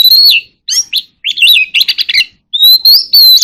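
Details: Oriental magpie-robin singing in a contest: loud, rapid run of whistled and warbled notes, including sliding rising whistles and tight clusters of chirps, with brief silences between phrases.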